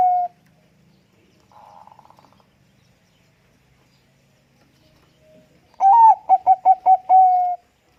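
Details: Zebra dove (Bangkok perkutut) cooing in response to another dove's song: a low, mellow cooing phrase that breaks into a quick run of six or seven stuttering notes before a held final coo, with a softer burst earlier.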